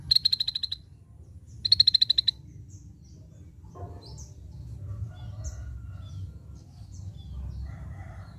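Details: Scaly-breasted bulbul giving two short bursts of rapid, sharp, high ticking notes, each about eight evenly spaced notes packed into under a second, about a second apart; faint soft chirps and a steady low rumble behind.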